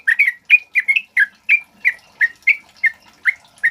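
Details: Sooty-headed bulbul (trucuk kebo), a male in full voice, gives a steady string of rich, gurgling whistled phrases about every third of a second, a recording meant as a lure and tutor song for other birds.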